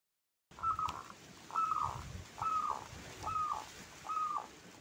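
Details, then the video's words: Lively local zebra dove (perkutut lokal gacor) with a big voice: five short, clear cooing notes, each with a crisp start and a quick downward fall, spaced about a second apart, over low room noise. "Perkutut Lokal Gacor jenis suara paling disukai"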